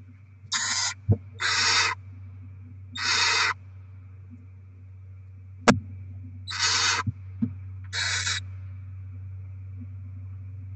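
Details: Barn owl pair feeding their young with rodent deliveries, 07/02/2024: five harsh, breathy hissing bursts about half a second long with uneven gaps, a few sharp clicks, and a steady low hum underneath.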